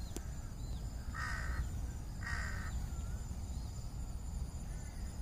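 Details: Two short, hoarse caws about a second apart from crows on top of trees at dusk before night falls, then quiet with only low background hum.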